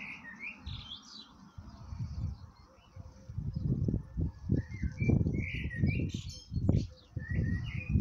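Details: Male blackbird calls out to his mate with brief fluted whistles, scattered and irregular, some sliding upward, set against heavy low rumbling noise throughout.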